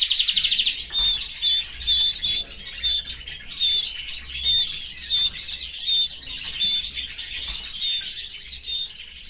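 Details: Male canary singing in a cage alongside his family: a quick opening trill, then a steady series of clear whistled notes repeated a little over once per second, each with a soft chirpy flourish.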